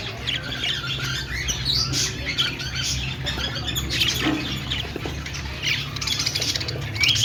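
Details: Chattering budgies give scratchy, squeaky high chirps and twittering warbles in a steady flow, with a soft low hum beneath and a sharp upward whistle right at the close.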